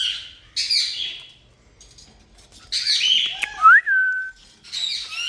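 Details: Indian ringneck parakeet kept as a pet, uttering breathy, raspy hisses separated by quiet gaps, then a clear rising whistle that drops and flattens out.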